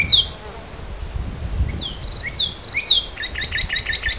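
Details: Northern cardinal family at the nest as a nestling leaves; several sharp high downslurred notes, then a rapid run of short paired chips at the end, over steady background hiss.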